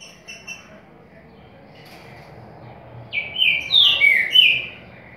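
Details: Paraguayan green-winged saltator, described as a good singer, sings a loud, rich phrase of slurred whistled notes lasting about two seconds, after a few faint high chirps.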